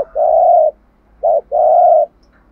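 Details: Spotted dove kept as a decoy, cooing in thúc gù style: a long, even, hollow coo, a brief pause, a short note, then another drawn-out coo. No other sounds are heard.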